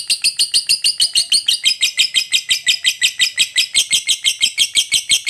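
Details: Long lovebird 'ngekek' chatter from a fighter bird, meant to provoke other lovebirds into singing: fast, steady, unbroken stream of high buzzy chattering notes, about three per second pulses in loudness, continuing throughout.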